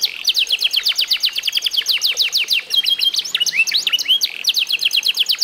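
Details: Trained F1SF canary aged eight months sings quick repeated descending chirps, switches to a burst of zigzag whistled notes, then returns to the rapid chirping trill.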